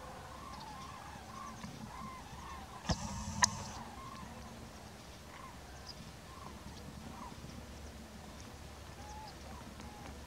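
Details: A distant flock of wintering common cranes enters its night roost in Extremadura, giving rolling, trumpeting calls that overlap at a steady pace of about two per second, with one sharp knock near the start.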